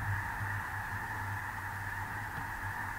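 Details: Large flock of snow geese on a small lake in central North Dakota, early November 2021, giving a steady, blended wall of calling with no single voice standing out, over a low rumble of wind.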